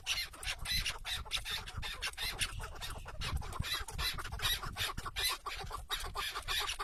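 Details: Chukar partridge used as a tethered decoy in a hunt out in nature, giving a dense run of rough, clucking chuck notes in quick succession over steady wind noise.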